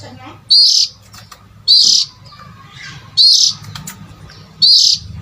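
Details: Oriental magpie-robin call used as a lure for adult birds. Sharp, high, scratchy chirps repeat about every one and a half seconds over a low murmuring hum.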